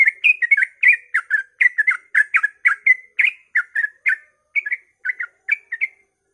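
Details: Dawn 'ropel' song of a yellow-vented bulbul, meant to provoke other bulbuls to sing: a continuous run of bright, bubbly whistled double notes, delivered rapidly, slowing slightly near the end, in an otherwise quiet setting.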